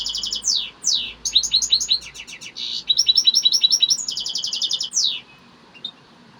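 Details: Excited, heated song of a European goldfinch, delivered as rapid high twittering phrases, slurred sweeping notes and dense buzzy trill runs, almost continuous for five seconds before fading into quiet with a last faint note.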